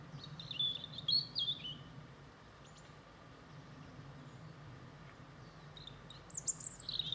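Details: European robin (Erithacus rubecula) twittering a little before eating a few berries: short, high, thin twittering phrases in two bursts, one at the start and one near the end, with a steady low rumble behind.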